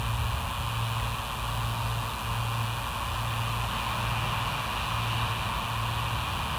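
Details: Constant engine-like rumble and hiss with a pulsing low hum continue without any animal calls.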